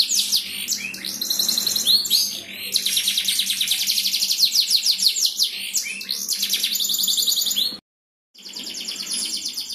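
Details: Champion canary singing to provoke other canaries: long bursts of very fast, high trilled rolls that shift tour repeatedly, then a short silent gap before the rolling resumes.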